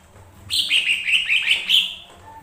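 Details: Lesser green leafbird singing as a lure for other birds: a rapid, rich phrase of about eight bright, downslurred whistled notes strung together over roughly a second and a half.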